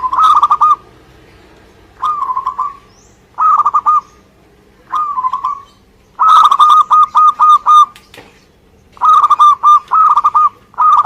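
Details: A local zebra dove from Indonesia singing persistently: short rolling coo phrases repeated every one to two seconds, including a longer run of about eight quick notes, with a faint low hum behind.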